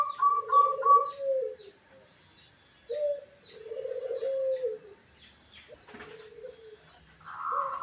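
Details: Wild zebra dove cooing: a low, rolling coo phrase repeated with pauses, with quick higher staccato notes at the start and end, over faint background calls from other birds.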